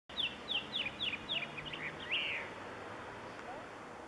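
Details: Blue chaffinch singing a short song: about six clear, descending notes at an even pace, then a brief rising-and-falling flourish, against a steady background hiss.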